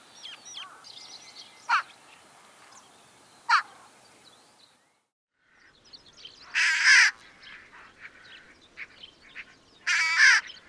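Daurian Jackdaw: two sharp, barking 'chak' notes about two seconds apart, then two longer, harsh, rasping caws. Faint chatter of other birds behind.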